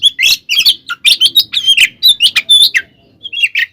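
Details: Oriental magpie-robin fighting song meant to rile other kacer: rapid mixed whistles, squawky chips and slurred notes, ending with a short pause and a few quieter notes.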